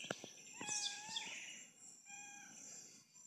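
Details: House wren (garrincha) singing in the forest near a house on a country smallholding: a few sharp clicks, then bright whistled notes and quick sweeping phrases, some falling, with thin high tones trailing after.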